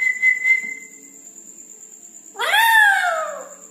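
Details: At night, a red-breasted parakeet gives a brief flat whistle, then after a pause a loud, rasping, downward-curving call, with a constant thin high tone behind.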